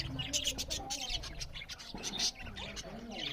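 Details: Several budgerigars chirp loudly while eating, with dense high twittering and scratchy chatter, and lower warbled contours running beneath the chorus.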